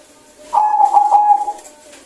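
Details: Zebra dove, a local bird, giving a single clear phrase of rapid trilled coos at a steady pitch, lasting about a second, over a quiet background.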